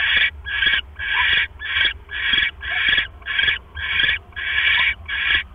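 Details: Owl pair at the nest on an October night, the male delivering a rat to the egg-sitting female; ten evenly spaced raspy hissing calls, about two per second, slightly softer than the rest.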